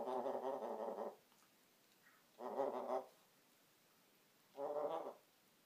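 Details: Indoor African grey parrot making a snoring noise: three rough, buzzy, harmonic rasps about a second long, repeated every two seconds or so with quiet gaps between.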